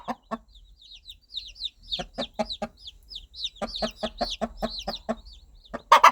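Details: Mother hen guiding her baby chicks with soft clucking, regular series of low clucks broken by pauses, chicks peeping high and thin above, a sharp loud note at the end.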